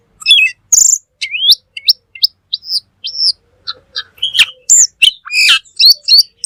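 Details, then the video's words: Black magpie in energetic song for a tutor recording: a steady series of clear rising and flat whistles, then harsher chirps and chatter, roughly one phrase per second. "Suara Burung Cucak Keling Full Gacor"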